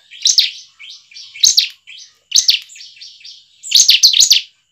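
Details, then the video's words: Bar-winged prinia singing, played as a lure to encourage captive prinias to sing: high, piercing chirp phrases roughly every second, each followed by softer twittering, the final burst longest and most emphatic. "ciblek manapun langsung bunyi dengarnya dengan pancingan ciblek satu ini"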